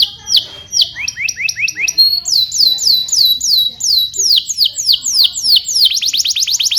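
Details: Canary singing to teach young canaries: series of clear descending whistled notes in two pitches, then a long run of slower swooping chirps that quickens into a rapid trill at the end.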